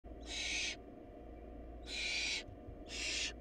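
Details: Barn owl nestlings in a family short of food, calling with three long, harsh hissing screeches, each about half a second, spaced roughly a second apart over a steady low hum.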